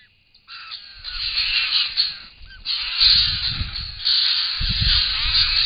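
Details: Wild White-winged Choughs at a pond in Australia, filmed by camera trap while drinking; a dense, overlapping chorus of harsh, buzzy calls from several birds, with flapping and rustling below.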